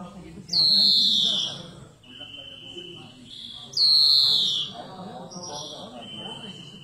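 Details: Two long, loud, wheezing notes that slide downward, each followed by softer twittering and a short flat buzz, from a singing European greenfinch.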